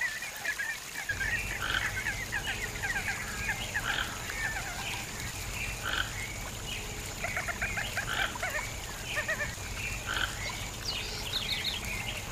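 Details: Toco toucan in the wild at Arapongas, Paraná, Brazil, giving hoarse, grunting croaks about every second or two, over a steady high insect drone and a low background rumble.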